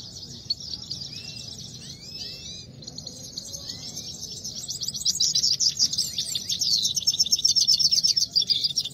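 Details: Himalayan goldfinch (saira) singing fight: a few slurred, rising whistles and soft twitters at first, then a rapid buzzy trilling song builds loud and fast toward the end.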